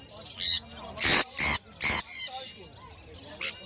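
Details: Sun conure kept as a pet, calling with loud grating screeches, three strong bursts mid-clip, between quieter chirps and chatter.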